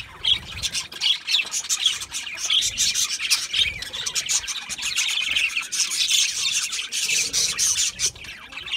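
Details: Budgerigars eating seeds, chattering constantly in a shrill, buzzy twitter, with repeated sharp chirps layered over the steady flock sound.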